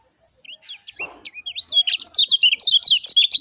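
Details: Lemon-bellied white-eye singing: a rapid, rising run of thin, high, slurred chirps that speeds into a dense twittering stream, with faint background rustle.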